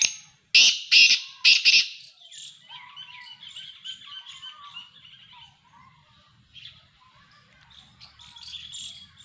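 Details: Black francolin call: three loud, harsh, grating bursts in quick succession at the start, then a quieter stretch of softer chirps and whistles from other birds.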